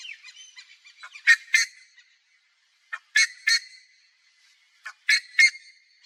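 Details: In natural Cerrado habitat in Brazil, a buff-necked ibis gives loud, harsh, metallic double honks about every two seconds, with softer clucking notes between the bursts.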